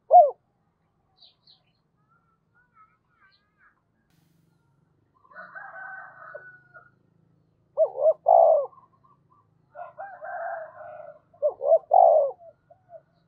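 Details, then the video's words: Decoy spotted dove giving thúc and calling coos: two loud three-part phrases about four seconds apart, each with short notes around a long purring coo. Softer mumbled coos and a drawn note come between and before them. "Chim Cu Mồi Thúc Và Gáy Gọi"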